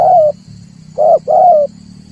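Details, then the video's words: A dove lure call for trapping: three strong coos, one long then a close pair, over a steady low droning hum. "tiếng chim cu ngoi dùng cho kich chim hót dùng để bây"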